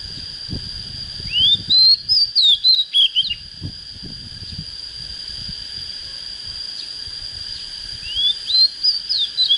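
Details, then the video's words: Oriental magpie-robin, an untrained bird just coming into breeding fire, sings a phrase of rising whistles and rapid twisting notes, pauses several seconds, then starts again with a rising whistle, over a constant high-pitched whine. "Chích chòe than mộc CHỚM LỬA || có chất GIỌNG CHUẨN"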